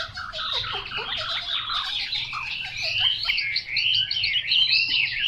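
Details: Chinese hwamei, called 'mộc dở', singing a dense, continuous babble of quick looping whistles that climb gradually higher and grow brighter, with a faint low hum underneath.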